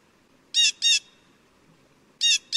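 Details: Blue jay giving a pair of short, harsh, buzzy squawks in quick succession, then another pair after a pause of over a second, over a quiet background.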